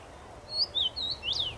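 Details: Common rosefinch in a tree, 23 May 2021, singing a quick bright phrase: three brief whistles followed by an upward-then-downward slurred note, with faint low rumble underneath.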